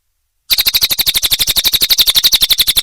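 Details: Cililin (lesser green leafbird) song for training songbirds: after half a second of silence, a dense, fast run of bright high notes repeats evenly to the end.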